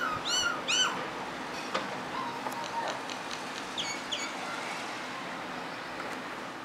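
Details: Common myna singing: a few ringing, harmonic whistled notes at the start, then softer chattering notes over a steady background hiss.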